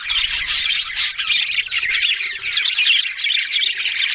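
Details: Budgerigars, Australian parrots, in a dense warbling chorus: continuous scratchy chirps and squawky trills packed high in pitch, with brief soft low thumps near the start.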